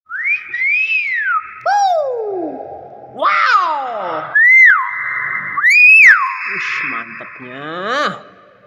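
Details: Nias hill myna giving loud, clear whistles that swoop up and down, some sliding from high to low and others rising then dropping, in a varied run of about eight notes; a person's voice is briefly heard.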